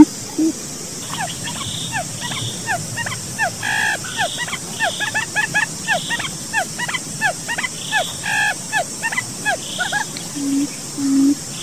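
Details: A forest quail lure call: quick, high, chirpy notes that slide downward, several each second, over a steady insect-like hiss and a few low, faint tones.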